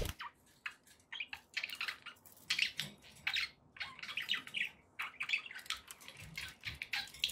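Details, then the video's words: Quieter, more distant budgerigar chatter, with scratchy chirps and clicking notes in quick succession over a faint background hiss. "1 hour of budgie sounds to keep your pets in happy bird company"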